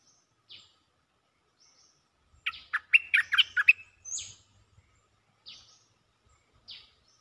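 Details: Cream-vented bulbul mating call: a dense, fast burst of bubbling, chattering notes in the middle, followed by a thin high whistle, with scattered soft buzzy notes around it.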